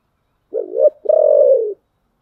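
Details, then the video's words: Spotted dove, thổ-style song (giọng thổ): a single phrase with a brief rising note, a short break, then one long sustained coo that sags slightly at the end. Clean, quiet background. "cu gáy giọng thổ"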